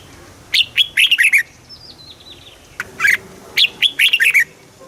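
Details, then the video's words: Caged red-whiskered bulbul song used to excite other caged birds and train chicks, southern master phrasing: two bursts of rapid, liquid warbled notes with sharp clicks, separated by a softer thin descending whistle and a short pause. "เสียงนกกรงหัวจุก สำหรับต่อ หรือ เปิดให้นกคึก เสียงเพราะๆ"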